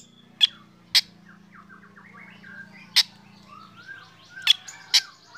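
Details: Morning song of a black drongo set out in the sun, which gets other birds singing: sharp harsh notes spaced about a second or more apart, with soft sliding whistles from other birds between them.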